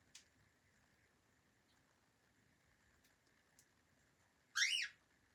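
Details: Friendly pet cockatiel in Berlin, calm and enjoying the moment: one short bright chirped call near the end, falling in pitch, after several seconds of near silence with faint ticks.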